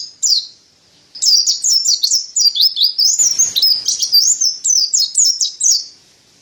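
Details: A single high chirp from a Mountain white-eye, a short pause, then a long run of rapid, bright downslurred notes in steady rhythm, with a soft rustle partway through; tutor song for training other birds.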